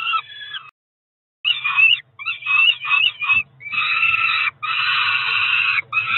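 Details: Cromer Peregrine falcon chicks, two young of about four weeks, calling at feeding time in June 2023: a short wail, a brief silence, then choppy rasping bursts building into long harsh screeches.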